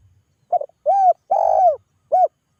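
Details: Calling spotted dove, its call used to get other doves to answer. It gives a clipped double note and then three hollow, arched coos, the middle one longest, against a near-silent background.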